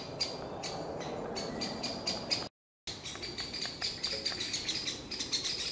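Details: Great spotted woodpeckers, a pair with young, alarm calling loudly to drive off a pine marten sleeping near their nest in a forest: sharp, clicking kik notes repeated at uneven intervals, with a brief silent break midway.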